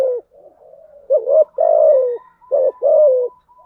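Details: Spotted dove hen calling as bait for male doves in the thúc gù and gáy gọi styles. The end of one coo is followed by soft murmurs, then two quick phrases of paired short notes and a slurred, falling coo.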